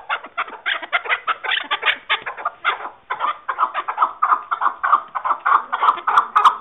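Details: Rhythmic, raspy chuck-chuck calling from chukar partridge, steady clucking pulses roughly every half second that grow fuller and more ringing in the second half.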